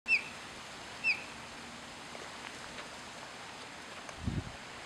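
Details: An osprey in Florida gives two sharp, high whistled chirps about a second apart, then falls silent over a soft outdoor hiss and a low thump.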